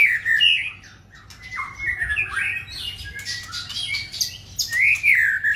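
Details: Male white-rumped shama singing scratchy, mixed phrases of sliding whistles and harsh squawky notes, with brief quieter gaps between bursts.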